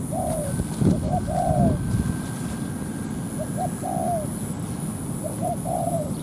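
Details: At a ground decoy trap, a spotted dove coos to provoke a wild rival into a territorial fight. Three phrases of short notes each end in a longer falling coo, with two soft knocks early on, constant low rumble and a thin high whine.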